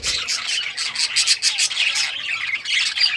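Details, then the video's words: Rare-coloured budgies playing with toys fill three seconds with constant loud overlapping chirps and raspy squawks in quick succession. "Budgies all rare colors playing and chirping sounds playing with toys"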